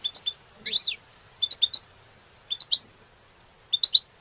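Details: European goldfinch mating song used to stimulate other goldfinches: repeated groups of three quick high chirps and one slurred buzzy twitter, separated by brief pauses.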